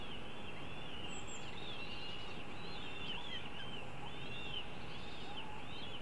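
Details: Feeding time for young northern goshawks: a continuous thin, wavering whine that keeps rising and falling in small arcs, with brief squeaky inflections, running unbroken against low steady noise.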